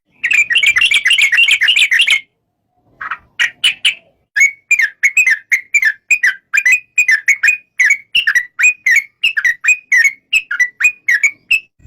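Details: Yellow-vented bulbul (trucuk) opens with a two-second burst of fast chattering notes, falls silent, then delivers a long run of separate slurred whistles at an even pace of about three per second.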